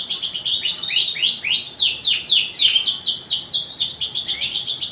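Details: Rapid canary song of repeated high downward-sweeping notes running without pause, set against constant low background noise.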